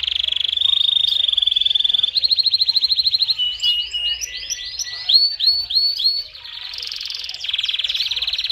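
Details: Canary in loud, intense song opens with a long, buzzy, rapid roll. Quick arched whistled notes repeat in a series, and a high trill follows.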